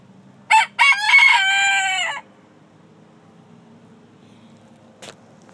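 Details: A rooster crows: two short clipped notes, then a long, drawn-out harmonic crow lasting over a second, ending abruptly; quiet follows, broken by one sharp click near the end.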